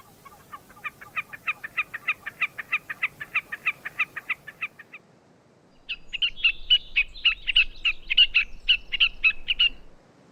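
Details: Gray Catbird imitating species such as sora rail, Wilson's snipe, western wood pewee and Pacific tree frog: a long, fast run of evenly repeated short notes, a pause, then a second, higher and harsher rapid series.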